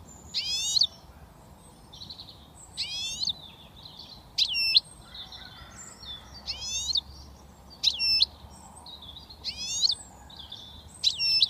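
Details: Young European goldfinch in Britain, only starting to whistle, repeats a sharp, ringing, downward-swept note about every one to two seconds, with faint soft twittering between phrases.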